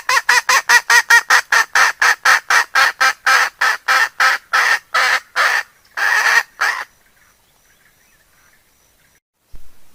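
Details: Hen decoy cackling to attract other fowl: a long rapid series of over twenty harsh clucks, slowing toward the end with a longer note, then quiet.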